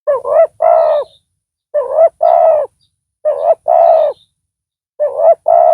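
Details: Big-voiced spotted dove decoy calling to attract wild doves for trapping; four two-part phrases roughly every one and a half seconds, a quick dipping note then a rich drawn-out coo, with a faint high steady hiss.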